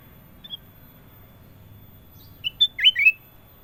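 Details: Kutilang emas, ruby-throated bulbul, with clear gacor song: a faint early chirp, a long pause, then two separated whistles followed by a fast, rippling cluster of liquid warbled notes.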